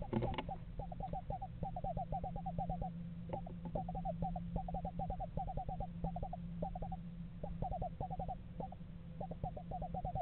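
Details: Pair of screech owls at a yard nest box in November, apparently house shopping; rapid series of short, quavering hoots repeated in bursts at a steady pitch, with background hum and low rumble.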